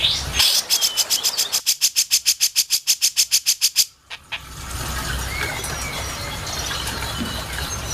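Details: Master recording of a grey-cheeked bulbul for song training: a long fast string of about twenty high, sharp, evenly spaced notes that stops abruptly, followed by steady background hiss and faint distant chirps.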